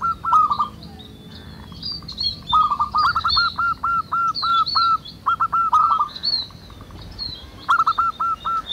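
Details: Local zebra doves singing in the wild: clear evenly spaced series of hooked cooing notes in several phrases, with frequent higher chirps and trills from other birds behind.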